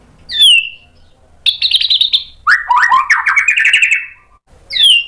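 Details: White-rumped shama in loud, sharp-edged song used as a lure to make other birds answer: clear descending whistles, a buzzy trill near the middle, then a rapid stuttering run of rising notes and a final whistled slur.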